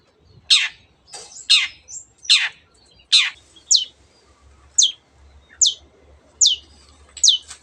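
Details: Long-tailed shrike, a bird that mimics canary and many other species, repeats rasping, descending notes spaced under a second apart, shifting midway into thinner, higher whistled notes, with a low background hum.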